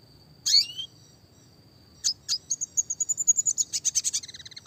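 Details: One sharp, high chirp from a red siskin of the classic type, a pause, then a fast, even trill of about fifteen bright repeated notes. The song is rapid and tightly packed, the style known as speed rapat.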